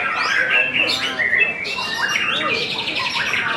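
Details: White-rumped shama singing on its first hanging for training after moult: varied loud whistled and chattering phrases, rapid sweeps and trills in quick succession, with human voices in the background.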